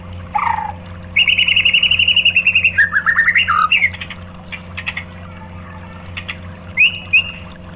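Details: White-rumped shama song used to provoke other shamas: low whistle, then a rapid metallic trill, varied slurred notes, and scattered sharp chips with pauses.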